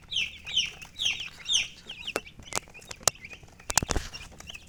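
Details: Colored chickens with a hen making descending, high chirps repeated about every half second for two seconds, then sharp clicks and knocks.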